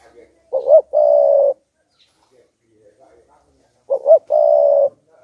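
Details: Decoy spotted dove in full song to provoke wild doves: two identical phrases about three seconds apart, each two quick rising notes followed by a sustained even coo, with near silence between.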